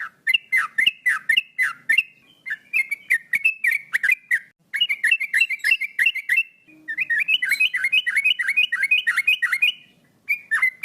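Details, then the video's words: Male sooty-headed bulbul singing energetically, known locally as a chatty 'gacor' singer: quick runs of short, bubbly, slurred whistled notes repeated rapidly in bursts of a few seconds with brief pauses, plus sharp faint ticking sounds between notes. "Burung Trucuk Jantan Gacor Bikin Konslet"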